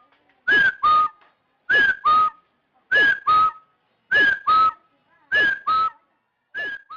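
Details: Trapping-lure call of a rufous-throated partridge: six rhythmic double whistles, a curved higher note and then a level lower note, repeated at a steady pace of about fifty per minute.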